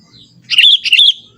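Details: Young forest Sooty-headed Bulbul, natural unembellished song: a single short, bright phrase of two quick liquid, warbling notes rising and falling, over faint low background noise.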